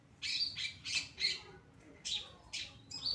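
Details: Long-tailed shrike, Pastol type, in full song on a recording meant to tutor other birds: short loud raspy bursts in uneven pairs and threes, each carrying a bright squeaky whistle inside the harshness.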